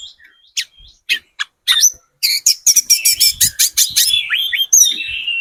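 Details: Lively spotted Sunda robin singing as a lure for other birds: sharp separate chips speeding into a dense run of loud clicking notes, ending in falling whistled slurs.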